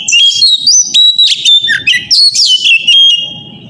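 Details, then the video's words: Lure song of an Oriental magpie-robin, morning, intended to set other magpie-robins singing. Continuous rich outpouring of high whistles, quick slurred notes and scratchy chatter, with faint low rumble beneath. "pancingan suara kacer pagi hari"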